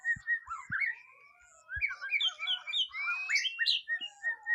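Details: During its first mental test, a white-rumped shama gives a jumble of short whistled and chattering notes. The phrases rise and fall, and a few low thumps sound at the start.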